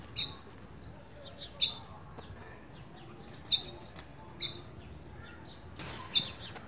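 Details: Green-winged saltator piping in fear, five short, sharp, high-pitched chips irregularly spaced roughly one second apart, the last one blurred by a brief rustling noise.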